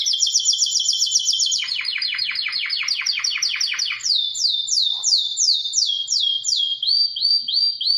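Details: Singing canary delivering rhythmic series of quick downward-sweeping notes, about five per second, with each series set at a new pitch, higher sweeps following lower ones. The song is clean, with a faint hum behind it.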